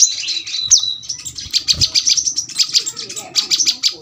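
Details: Kolibri kelapa, the brown-throated sunbird, giving scattered piercing high chips and short whistled notes at an uneven pace, with one sharp upward flick early on and faint low background rumble.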